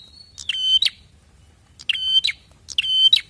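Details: Three harsh buzzy prinia notes, each starting with a thin high whistle and ending in a sharp rasp, from a recording used to lure prinias into calling; low murmur in the background.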